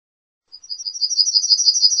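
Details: Yellowhammer song opening: a fast, accelerating string of high, thin, repeated chirps, growing louder over about a second and a half, heard alone against silence.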